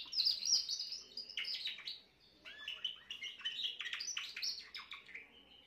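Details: Young Spanish Timbrado canary of this year singing on 14 June 2023: fast chattering runs of bright chirps and trills, high and jumbled, broken by a short pause before a second burst.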